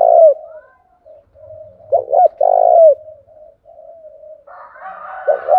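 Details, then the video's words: Spotted dove decoy cooing to make wild birds call back: low mellow coos in short phrases with a soft trailing note, and a brief rougher noise near the end. "tieng chim cu mồi thuc boi căng lửa, bổi nghe gáy theo và rất nhanh nổi"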